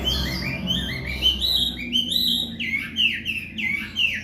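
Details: Chinese hwamei singing vigorously in the afternoon, a loud run of clear whistled phrases that slide up and down, each varied, ending in stronger falling whistles, with a low background hum.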